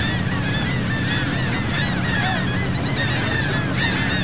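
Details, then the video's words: Seagulls at sea by Saint Martin island, Cox's Bazar, Bangladesh, recorded from a boat: dense chorus of harsh, downslurred squealing calls, several birds at once, over a droning motor. "Wonderful Seagull Sound from Sea Boat"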